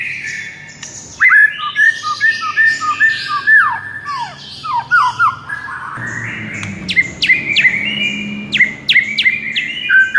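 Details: Masteran for white-rumped shamas, played to make a listless bird sing aggressively: cascades of descending whistled notes, followed by sharp, repeated clipped calls with sudden high flicks.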